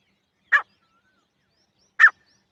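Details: Two abrupt, coarse single calls of a female grey francolin, spaced about one and a half seconds apart, in near silence.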